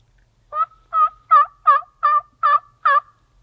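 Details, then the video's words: Merriam's wild turkey hen in Utah, gobbling while strutting: seven evenly spaced yelping notes, each a rich harmonic burst with a brief rattling tail, about every 0.4 seconds, against a quiet background. "More of the Gobbling/Strutting Hen"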